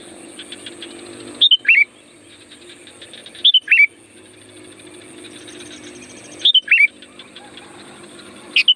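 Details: Sooty-headed bulbul song meant to draw in wild birds, four brisk, cheerful phrases of a few quick notes each, spaced about two to three seconds apart, with a constant thin whine and soft rapid clicking between.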